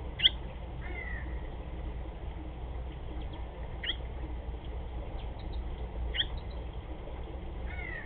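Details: Barn swallow at its nest giving scattered short chirps and quick downward slurred notes every second or two, with a constant low hum underneath.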